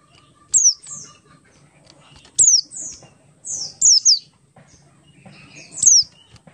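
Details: Oriental white-eye of the Buxtoni type singing in the ngalas style, used as a lure to make other white-eyes sing: very high, thin whistles sliding sharply downward, given singly or in pairs every second or two, with soft knocks and taps between.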